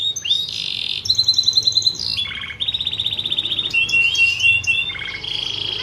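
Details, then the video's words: Fighting canary singing for training, with buzzy high rolled trills in separate sections, each at a different pitch, joined by brief chirps and whistled slurs. "Masteran burung Kenari Petarung"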